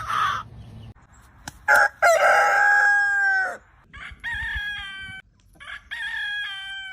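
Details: Morning scene of roosters crowing: a loud near crow with clipped opening and long falling held note, followed by fainter, more distant crows answering, over low background noise.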